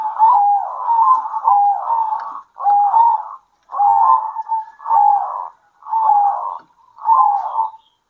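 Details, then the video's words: Zebra doves at midday, local birds answering one another. Soft, rolling, trilled coos come in short phrases of about a second. Each is followed by a brief pause, and the phrases repeat almost once a second and sometimes overlap. "PERKUTUT LOKAL GACOR ADU NYALI"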